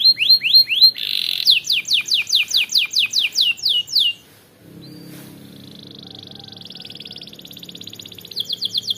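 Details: Canary singing to provoke rivals: quick rising notes, a buzz, then a long run of repeated falling whistles; a pause with faint low noise and a soft trill, then the whistles resume.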